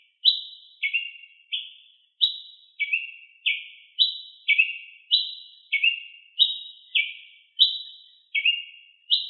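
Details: A ruby-crowned tanager sings vigorously outdoors. Repeated sharp, falling chirps alternate between two pitch levels, with occasional doubled notes, about fifteen calls in nine seconds. Nothing else is audible.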